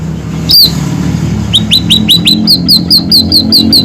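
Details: Scaly-breasted munia, a vigorously singing bird used as a tutor recording: one high slurred whistle, then a rapid series of short rising whistles changing to downslurred notes, about two to three per second, over a low steady hum.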